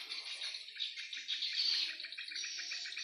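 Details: Swiftlets playing above their swiftlet house in the afternoon; dense, high-pitched twittering chirps overlap continuously throughout, with a faint lower murmur underneath.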